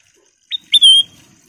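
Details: Golden-coloured sooty-headed bulbul giving one brief song phrase: a quick upward chip, then a loud sharp note sliding into a sustained ringing whistle.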